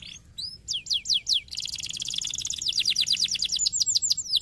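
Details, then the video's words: Stimulating canary song for other canaries: sharp, descending whistled notes, then a dense, buzzy high trill flowing into a long series of rhythmic, falling chirps. "uma vez que os canários cantam imediatamente"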